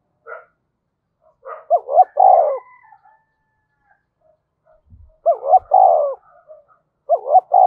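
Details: Spotted dove decoy calling to provoke wild birds: repeated cooing phrases, double short notes leading into a long coo, preceded by a brief higher call and followed by faint soft knocks.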